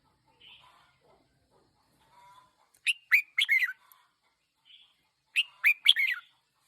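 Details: Red-whiskered bulbul decoy bird, one year old, gives two short clusters of sharp whistled notes about two and a half seconds apart, preceded by a few faint softer chirps.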